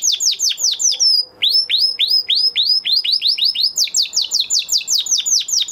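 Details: Post-moult male canary giving high trills of sweeping slurred notes repeated several times a second, with brief pauses between tours, and a jump to a higher, faster section toward the end.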